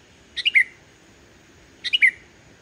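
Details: Pure singing of a Sooty-headed bulbul, free of mimicked notes, meant to coax silent bulbuls to sing: a pair of loud, clear three-note phrases, each dropping in pitch, about one and a half seconds apart.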